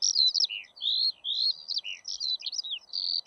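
Eurasian skylark song: a rapid, unbroken stream of high chirps, slurred whistles and short trills that shift pitch constantly, with a faint low hum beneath.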